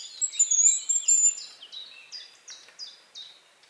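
Hazel Grouse giving very high, thin drawn-out whistles, then a falling series of short sibilant notes, about two per second, fading out.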